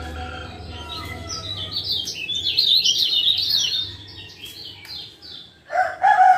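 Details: Lemon-bellied white-eye, a male from Lombok, calling to lure a quiet caged bird back into song: a burst of quick high chirps for about three seconds, fading, then a louder, lower harsh note at the end.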